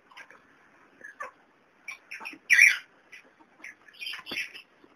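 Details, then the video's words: Small kakarikis giving short, harsh chattering squawks and chirps in irregular bursts, with one louder scratchy squawk midway. "PETITS KAKARIKIS"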